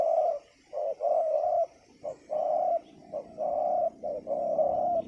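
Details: Big-voiced spotted dove used as a decoy on a ground clearing for wild doves, delivering loud hoarse coos in grouped phrases, short notes leading into longer sustained ones, closely repeated.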